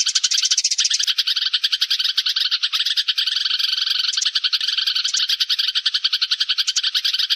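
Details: A lure recording of sparrows calling their flock together: nonstop, overlapping high chirps in a fast chattering rhythm, with occasional sharper notes standing out.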